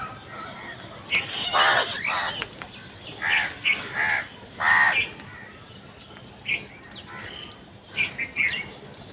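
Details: Crows recorded naturally, calling: harsh, hoarse caws come in short bursts around two, three and five seconds, each a ragged rasp, followed by scattered thinner calls and chirps from other birds against steady background hiss.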